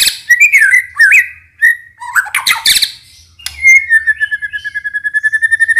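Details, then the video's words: Murai batu or white-rumped shama, Indonesian lure recording packed with varied isian to spur silent birds: wavering whistles and a scratchy burst, then a long steady series of rapid pulsed notes on one pitch, soft hum beneath. "PANCINGAN MURAI BATU FULL isian"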